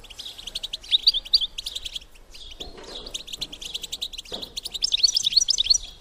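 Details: European goldfinch female call, a bitbita to excite males for mating: rapid chattering chirps, a brief quieter gap, then a final burst thick with sharp rising tinkling notes.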